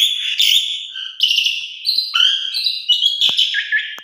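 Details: Asian pied starling song used as a lure: a harsh, buzzy, warbling stream of wavering whistles and grating notes with a few sharp clicks, continuous over four seconds.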